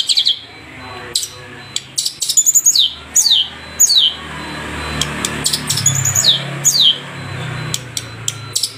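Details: Long-tailed shrike of the Madura type in a training recording for caged birds: sharp, high notes that slide steeply downward, given singly and in loose clusters with sudden clicks, over a constant low hum and hiss.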